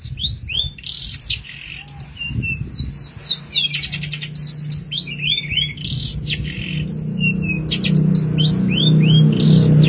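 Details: Long-tailed shrike master song with showy bursts, meant for training songbirds: a rapid, varied stream of high whistled slurs, downward sweeps and buzzy rattles, several notes a second, over a steady low hum.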